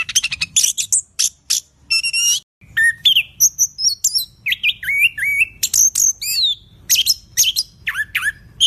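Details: Loud, clear orange-headed thrush (anis kembang) song: crisp high chips, then looping slurred whistles rising and falling, each phrase separated by short silences.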